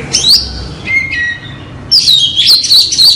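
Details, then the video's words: Oriental magpie-robin lure song: brief high whistled notes, a short pause, then a bright run of rapid warbled phrases over steady background noise. "PIKAT KACER SUARA PANCINGANNYA AMPUH"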